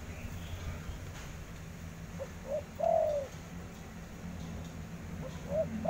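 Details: Spotted dove cooing: two short soft coos followed by a longer, drawn-out falling coo, then the phrase begins again near the end; low, mellow notes over a steady low hum.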